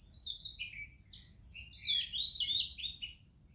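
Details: Oriental magpie-robin in morning song in India: a loud, fluid series of melodious whistles, rising and falling slurs and quick warbles packed into under four seconds, over a faint steady insect hum.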